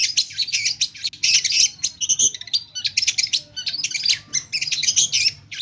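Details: Long-tailed shrike singing a mimicry-filled song, called pentet locally. Dense bursts of raspy, chattering notes are interrupted by brief clear whistles and fast ticking sequences, forming an unbroken jumble.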